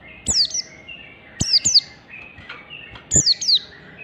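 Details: Oriental white-eye song of the standard wild type, used to provoke other birds into singing: high, thin, sharply descending whistled notes in quick clusters, repeated every second or so over faint background noise.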